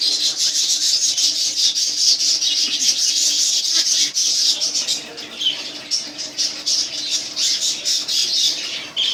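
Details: Pair of pet cockatiels calling indoors: dense, continuous high chattering and screechy chirps, loud and overlapping throughout, with a brief quieter dip midway before the calls resume.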